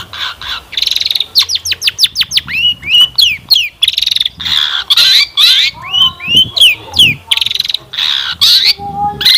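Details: Lively long-tailed shrike song played as a lure so other shrikes answer and sing, full of rich varied phrases: harsh buzzy bursts alternate with quick runs of sharply sweeping notes and hooked whistles.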